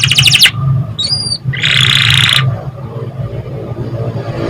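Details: Canary song used as a lure to coax young canaries into singing quickly. Two bright, dense trilled bursts, the second longer, separated by a short thin whistle, over a steady low background hum.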